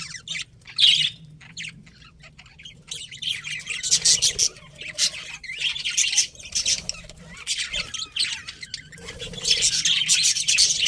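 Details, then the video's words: Pet budgie breeding pair: sparse scratchy chirps at first, then busier raspy chatter building toward the end over a soft low hum. "cute budgies chirping sounds"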